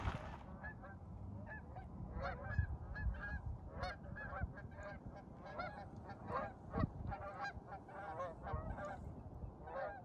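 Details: Many Canada geese honking at daybreak at 6:30 am over Lake Estes, Colorado, while giving their young flying lessons under smoky haze; dense overlapping nasal honks, some doubled, over a steady low rumble.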